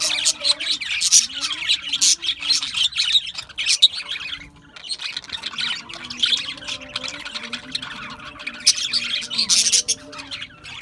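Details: Australian budgerigars chirping together in a constant, overlapping chatter of high squeaky chirps and warbles. The flock sounds busy and rises and falls in loudness with no clear pauses.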